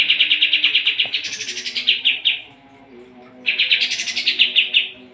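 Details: Sooty-headed bulbul in lively full song, used as a master recording for training competition birds: fast runs of sharp repeated chattering notes, two bursts separated by a short pause, over a faint low hum.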